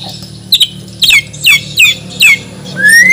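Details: Borneo white-rumped shama from Banjar, a contest bird, singing a full isian song: loud, sharp downslurred whistles repeated about every half second, ending on a long rising whistle, over a low indoor hum.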